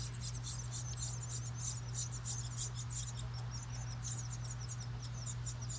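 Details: House wren babies in a recycled license plate birdhouse outside a New England home, begging as the parent feeds them. Shrill, rapid chips tumble out several per second in tight clusters, with a steady background hum.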